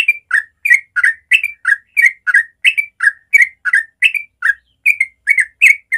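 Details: Continuous rapid stream of bubbly, slurred warbling notes, about three per second without a break. A Yellow-vented bulbul (trucukan) sings its natural morning ropel song, used to teach young birds.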